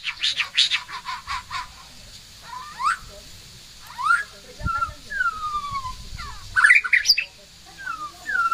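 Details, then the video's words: A pet white-rumped shama in full song gives a varied run of rapid chattering notes, then clear slurred whistles rising and falling, with a few harsh squawks between phrases. "Burung muraiy batu Bersuara gacor"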